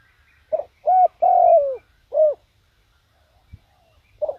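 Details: Decoy spotted dove cooing to attract wild doves: a quick short note, a hollow double coo with a long drawn-out falling end, another coo, a pause with a soft tap, then one faint note.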